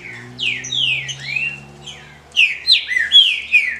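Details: A female green-winged saltator gives quick, slurred chirps sweeping up and down, in two bursts, over a faint low steady hum; female calls played to stimulate a male.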